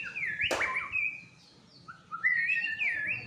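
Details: White-rumped shama, an agitated fighter bird, gives clear whistled slurs in two phrases broken by a sharp click.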